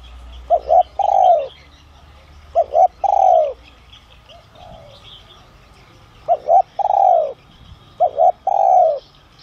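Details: Spotted dove with the 'son' voice type, coo-calling to lure wild doves in. Four phrases spaced a few seconds apart, each a brief double coo followed by a longer descending coo. A low rumble at the start and faint background chirps.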